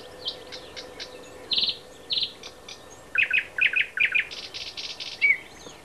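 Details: Song of a thrush nightingale recorded at Háj, Turčianske Teplice, Slovakia, a varied phrase of soft clicks and short buzzes building to paired sharp notes and a loud grating rattle, ending on a brief whistle.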